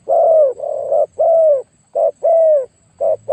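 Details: Spotted dove kept for luring, with a very big voice: rapid low coos, long mellow descending notes linked by shorter clipped ones, in a steady rhythm.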